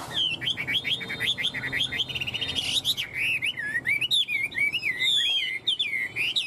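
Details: Tame Chinese Hwamei with a fanned tail, flicking it as it sings, pours out dense, high, wavering whistles in quick, unbroken succession, like a laughingthrush.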